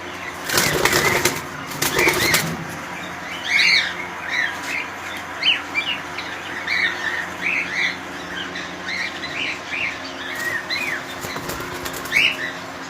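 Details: Cockatiels in a colony give repeated short, rising screechy chirps, several birds overlapping, after two loud rattling bursts of noise at the start.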